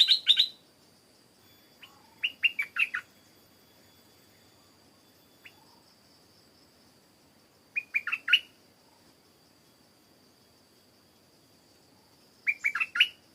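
A Stripe-throated Bulbul gives short, bubbly, chattering phrases of several quick notes, repeated about every five seconds, over a steady high insect-like whine.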